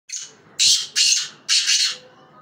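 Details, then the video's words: Black francolin calling: a faint opening note followed by three loud, harsh, grating bursts in quick succession, the phrase lasting about two seconds. "kala teeter ki awaz"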